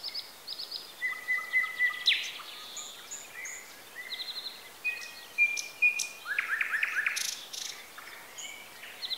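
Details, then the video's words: Wild birds singing in Bessarabia, Ukraine, recorded with a Zoom H4n: overlapping chorus of several birds, short whistled notes near the middle range mixed with higher chirps and quick trills, irregular and busy throughout, soft outdoor background hiss. "Sounds of nature. Birds. Звуки природы.Птицы"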